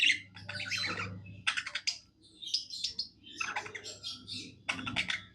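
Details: Happy pet budgerigar warbling, a dense run of chattering chirps and buzzy rasps in three or four bursts with short pauses; faint hum below.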